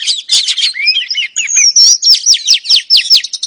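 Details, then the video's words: Calling female oriental magpie-robin, used to draw a male into song: buzzy chattering notes, then clear sliding whistles and a run of about eight rapid downward-swept notes. "KICAU KACER BETINA AMPUH PANCING KACER JANTAN LANGSUNG GACOR"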